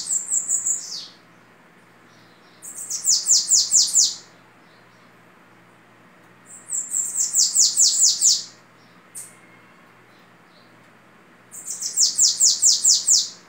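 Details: Bananaquit (babaçu) singing its orderly Belgian-style song: four phrases spaced about every three and a half seconds, each a quick string of high, sizzling, descending notes, with brief soft chips between them.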